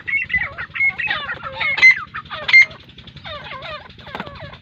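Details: Grey francolin (Francolinus pondicerianus), Pakistan, giving loud, ringing, repeated calls with harsh squealing notes sliding down between them, over a low steady hum.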